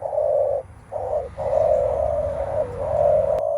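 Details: Spotted dove 'menguku' cooing toward a rival before a show of strength, usually by males; drawn-out, mellow low coos nearly run together into a long rolling phrase, a brief click near the end.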